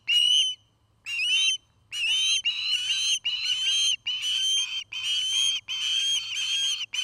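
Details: An osprey at a nest in Charlo, Montana, on the afternoon of 5 September 2018 gives a long series of shrill, whistled chirps in quick bursts, each note sharp and high, with hardly a pause between runs.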